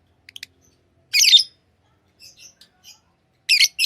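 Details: Pet lovebirds make a few tiny ticks, then a harsh, buzzy high squawk lasting a quarter second, some soft faint chirps, and two more rasping shrill squawks at the end.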